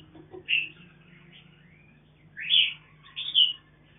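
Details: Mutant mountain red-whiskered bulbul raising chicks in captivity gives a few sharp, high chirps, then a pair of louder buzzy squeaks about a second apart, over a constant low hum.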